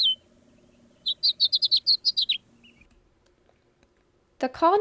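A House Finch sings a quick warbled phrase of about nine bright notes jumping high and low, closing with a slurred downward note over a faint low hum.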